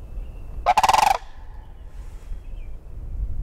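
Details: Sandhill crane giving a single loud rolling, rattling call about half a second long, pulsed like a rapid trill, after which only faint background hiss and distant thin high notes remain.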